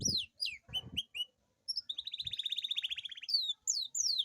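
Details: Canary singing a long rolling song, used to stimulate lazy canaries to sing. Clear high whistled slides give way to a fast, even trill rolling for over a second, then further rising and falling whistles. A few soft low thumps sound early on.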